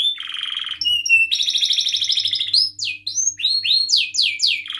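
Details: Song of a canary meant to spur silent canaries to sing: a low buzzy rattle, a long rapid pulsed trill, then separate steep downward whistled sweeps.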